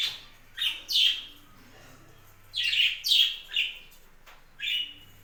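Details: Captive budgerigars on a budgie farm chatter in rough, buzzy chirps, clustered pairs and triplets of scratchy descending notes with short pauses, a low electrical hum underneath.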